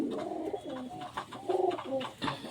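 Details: Domestic pigeons, one tucked into a corner nook, give low, throaty coos in short rolling bursts; the calling may come from a new pigeon bothering the others.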